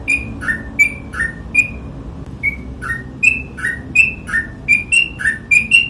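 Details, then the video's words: Ropel-style song of a Sooty-headed bulbul: bright whistled notes swapping between a high and a lower pitch, a brief lull near the middle, then a faster burst of alternating whistles to the end. "TRUCUK GACOR ROPEL"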